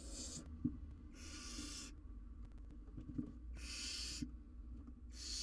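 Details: Live-cam barn owl owlet in the wild, handling a jird too large to eat, produces four rough hissing bursts at regular intervals of about one and a half seconds, amid faint thuds.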